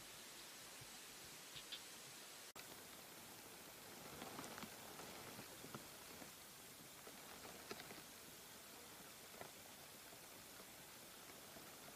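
Steady broadband hiss like rain or wind, with faint rustles and ticks but no clear animal voice.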